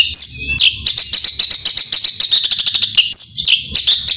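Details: Energetic long-tailed shrike 'gacor tembakan' song: whistled upward slurs, then a long stream of rapid, harsh repeated chatter notes and more high sweeping whistles near the end.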